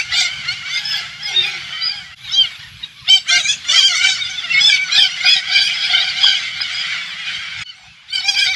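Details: An invading flock of hundreds of Alexandrine parakeets on a rural Thailand organic farm makes an almost unbroken wall of harsh, buzzy screeches and squawks that pauses briefly and then resumes.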